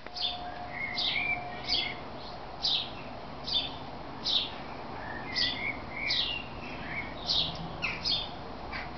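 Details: Great tit (Parus major) calls at a backyard birdhouse in Veghel, the Netherlands, at feeding time as the birds fly in and out: sharp, high chirps about once a second, mixed with softer lower twittering, over faint hiss.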